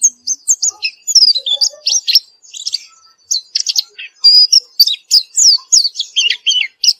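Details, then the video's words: White-eye singing nonstop after therapy: a fast, busy run of high, thin chirps and twittering whistles, some notes sliding up or down, with brief pauses between bursts. "Gila nie pleci setelah diterapi gacor terus"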